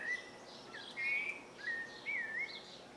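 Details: Rufous-bellied thrush singing from a house roof ridge on a farm in the northeastern Brazilian sertão early in the morning just after sunrise: clear, fluty whistled phrases, about four short rising and warbling notes in three seconds, over faint outdoor hiss.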